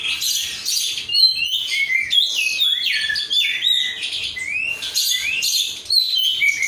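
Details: Caged kacer, oriental magpie-robin of the 'rudal korea' kind, raw untrained bird singing gacor: bright descending whistles and quick buzzy phrases, repeated in rapid bursts with short gaps.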